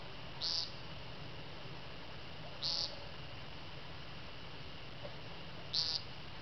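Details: Woodcock during its courtship flight display at Mendon in 2012, giving three short buzzy nasal notes spaced about two to three seconds apart over steady low background hiss and rumble.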